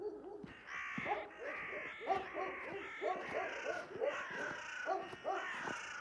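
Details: Early one morning at the end of March, several crows caw harshly and excitedly, chasing a hawk that had caught a collared dove: rough nasal calls overlapping about once a second in an agitated chorus.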